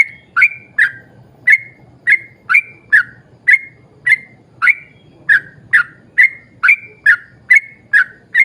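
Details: Yellow-vented bulbul giving a long string of short, crisp whistles at an irregular quick pace, several notes doubled, as a lure to set other bulbuls singing; low rumbling noise faintly underneath.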